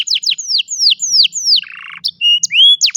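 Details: Canary singing, recorded by cellphone: a run of loud descending whistled notes about two per second, a short buzzy rattle, then clear level and rising whistles.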